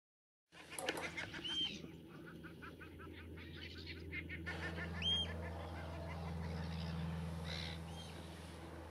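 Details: Common Shelducks fighting on Two Tree Island, Essex, give a rapid burst of harsh, cackling calls for about four seconds, then a few thin whistles over a steady low wind rumble.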